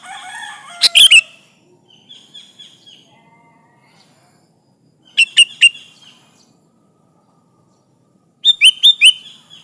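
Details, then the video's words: Sooty-headed bulbul singing hard to call rivals, meant as a lure: three separated bursts of bright, clipped chirps, each ending in a short slurred note, with quiet gaps and a faint buzzy murmur between them. "Suara burung kutilang gacor memanggil lawan"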